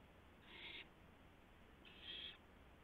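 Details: Owl delivering a gopher to its mate in the early hours of April 2, 2016, filmed by a live camera: two short noisy screeches, the second slightly longer and more tonal, over faint background hum.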